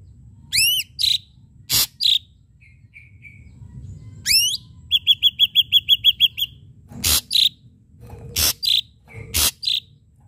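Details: Lively ashy drongo lure song with sharp strikes: arched rising swept notes, harsh clicks, soft low whistles, then a rapid train of about nine high whistled notes and scattered rasping bursts.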